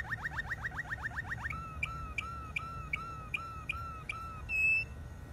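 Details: Malinois canary singing: a fast rolling run of repeated slurred whistles, then a slower series of clear falling notes about every 0.4 seconds, ending with a brief higher, purer whistle.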